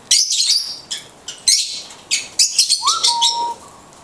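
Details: A blue-headed conure's talking: rapid scratchy, squeaky syllables in uneven bursts, ending in a clear whistle that swoops up and holds a steady tone before fading.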